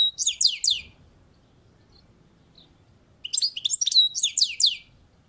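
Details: European goldfinch on a balcony delivering two bursts of fast, scratchy, tinkling twitters, each a series of quick descending high notes, separated by a pause of about two seconds.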